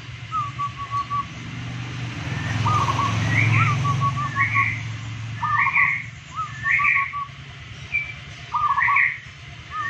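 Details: Local zebra doves, two birds matched against each other, sing overlapping rolling coo phrases with rising notes and staccato endings, one voice noticeably higher than the other. A low rumble swells midway.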